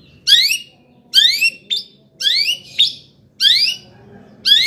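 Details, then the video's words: Long-tailed shrike singing to rile up other shrikes: harsh, grating rising notes in short bursts, several close together and then spaced apart, some with a quick stuttered ending. "kicau CENDET GACOR paling DI CARI cocok UNTUK PANCINGAN CENDET AGAR NAIK EMOSI"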